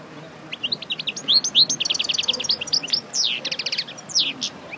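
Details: Parva goldfinch kept for pairing, freshly out of its moult and practising song; quick liquid twitters and ringing high chirps tumble together in a continuous bubbling phrase.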